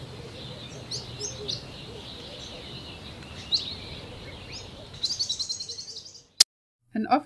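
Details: A male Pin-tailed Whydah in southern Africa calls from an exposed branch used as a song post to advertise presence or attract a mate. It gives scattered high squeaky chirps, then a quick run of sharp repeated notes, with a narrator speaking.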